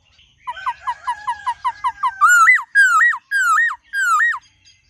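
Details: White-cheeked laughingthrush delivering forest-style song with many voices: a rapid run of about ten clipped, evenly spaced chirps leading into four loud, swooping whistles, each ending in a sharp upward flick.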